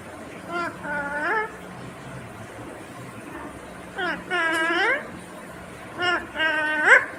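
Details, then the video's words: Indian ringneck parakeet talking: three bursts of clear, speech-like harmonic phrases with rising and falling inflections, spaced a couple of seconds apart, over a quiet indoor background. "Natural Sound of Talking Ringneck green parrot 🦜 Original audio 😯 Indian Ringneck Parrot"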